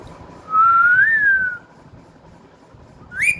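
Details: Pet parrot that has recently started whistling: one smooth, clear whistled note lasting about a second, gently rising then falling, followed after a pause by a short, sharper upward whistle; quiet indoor background.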